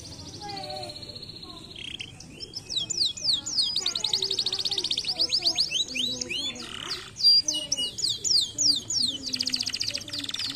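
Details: Canary song played to stimulate lazy canaries to sing: a long varied run of rapid repeated high trills and buzzy rolled phrases, sweeping notes between stretches of fast-pulsed tours, with a faint low voice-like murmur underneath.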